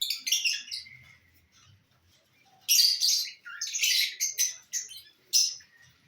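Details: Lovebirds enjoying corn: a quick run of shrill chirps, a quiet pause, then harsh screeching squawks and sharp chirps in clustered bursts.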